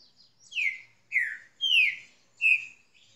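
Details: Green-winged saltator song in Brazil: four loud, clear whistled notes, each sliding downward, given roughly every half second. The setting is otherwise quiet, with no other birds.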